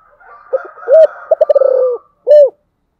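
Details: A special 'giọng thổ' style song from a spotted dove. Soft opening notes lead to an arched hoot, then a quick stammering burst that stretches into a sustained low coo, ending with a separate rounded coo. Faint higher chatter runs underneath.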